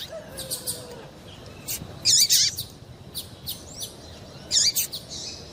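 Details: Calls of a female double-collared seedeater, used to stir a male to sing for song contests: scattered faint high ticks, then two loud squeaky, twisting chirp bursts about two and a half seconds apart, with soft background hiss.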